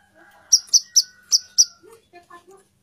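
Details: Female plain-throated sunbird calling for the male: five loud, high, sharp chips in quick succession, then a few soft, low notes trailing off.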